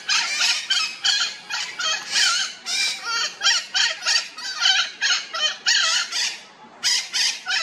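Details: Red-shouldered macaws back at their nest in the morning, about an hour after departing, making sure no other bird has taken it; a steady stream of rough, grating squawks repeated several times per second.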